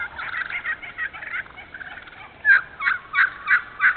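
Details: Wild turkeys in a thinned hardwood-savanna stand in Moore County, North Carolina: a quick run of raspy notes, then five loud evenly spaced yelps about every third of a second.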